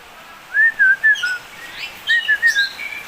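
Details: Oriental magpie-robin singing two short phrases of clear whistled notes, each slurred up and down and repeated about three times, with brief higher chirps over a quiet hiss between phrases.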